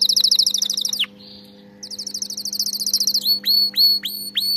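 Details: Canary song used for training canaries to sing: rapid trills of high, evenly repeated notes, a brief pause with a soft buzz, then another fast trill and a series of loud downward-sweeping whistled notes; faint steady low hum beneath.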